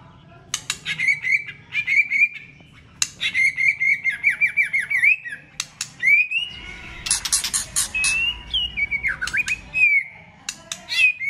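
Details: Competition singing from a White-rumped shama using many voices: runs of rapid repeated whistled notes, sharp clicks and rattles, then swooping slurred whistles, with a brief noisy background patch midway.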